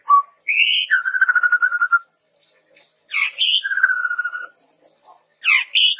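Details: Chestnut-rumped babbler song played as a lure for training birds. A short whistle leads into a rising slur and a pulsed, rattling trill, then the same pattern repeats after a gap, ending with sharp upslurred notes.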